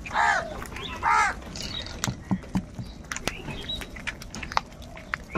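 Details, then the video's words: Two loud, hoarse caws open this moment of crows squabbling over food, one right after the other, then give way to scattered clicks, taps and soft background noise. "Crow bird Fight for Food | কাকের ডাক Crow Sound Crow ki Awaz Loudly"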